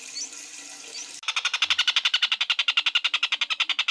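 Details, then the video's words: Collared kingfisher, known locally as tengkek buto, used as tutor audio for lovebirds: after about a second of hiss, a rapid run of harsh, buzzy kek notes starts abruptly and repeats evenly, roughly nine per second, to the end. "Suara tengkek buto durasi panjang"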